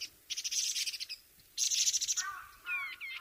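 Taiwan Barwing giving two bursts of harsh, buzzy chattering, then a lower nasal note and a few clear, down-slurred whistles.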